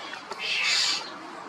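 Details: Common starling (Sturnus vulgaris) giving a single loud call: one rising, harsh, buzzy squeal that swells and fades over about half a second, preceded by two faint clicks.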